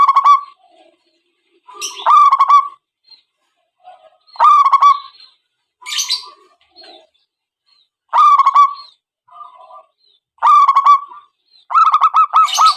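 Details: Zebra dove calls used as a lure for trapping wild birds: rhythmic bursts of rapid, stuttering, ringing notes, repeated roughly every two seconds, with brief sharper high accents between phrases and otherwise silent background.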